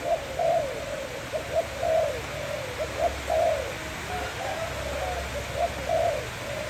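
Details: A Malay dove, kept as a pet, gives sweet, staccato cooing: short, bright mid-pitched notes in irregular clusters, roughly forty a minute, over a hissy, noisy background.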